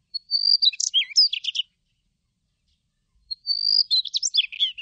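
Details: Daurian redstart song, recorded in 2020: two short phrases about three seconds apart. Each opens with a thin, high, slightly rising whistle, then breaks into quick scratchy twittering notes. The background is quiet.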